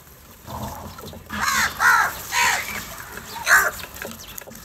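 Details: Crows squabbling over food in the morning, feeding on cheese and butter; a series of four loud, harsh, nasal caws over about two seconds, with faint background noise.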